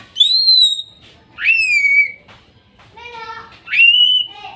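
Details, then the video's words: Greater green leafbird, Kuningan forest bird, song meant to restart a silent bird: pure drawn-out whistles, one high and level, others swooping up then gliding down, with a softer warbled phrase between. "TERAPI CUCAK IJO MACET BUNYI BAHAN HUTAN KUNINGAN TROTOL DAN NOPENG"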